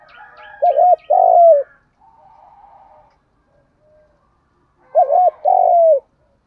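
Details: Spotted dove decoy voice in the thúc gù style, used to provoke wild doves: two deep cooing phrases, a quick doubled coo then a longer drawn-out one falling at the end, repeated after a pause of about three seconds.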